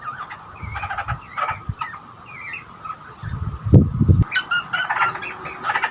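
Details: Two Australian butcherbirds, a young bird and an older one, chatting to each other at feeding time. Harsh, squawky harmonic calls come in short bursts, then a dense run of rapid, ringing notes near the end. Low thumping noises sound around the middle.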